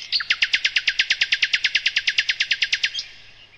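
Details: Nightingale (sikatan londo) song from a master recording used to train other cage birds: one loud, rapid trill of about twenty-five sharp, evenly spaced notes over roughly three seconds, then a fading tail.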